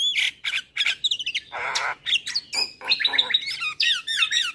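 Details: Full-content song of a male Javan myna, played to teach young birds: loud grating squawks alternate with high whistled and warbled notes in rapid, uneven phrases.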